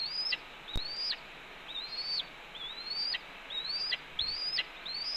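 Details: Spring 2013 nest-camera recording at Cornell: a red-tailed hawk berates its mate delivering a branch, five or six high climbing whistles each ending in a steep downward flick, with a click early on.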